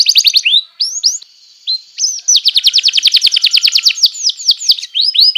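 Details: Canary song used as a training recording for young canaries: rapid trills of bright upslurred notes, repeated about three to four times a second in long rolling runs, with short whistled phrases between, loud and clean without background noise.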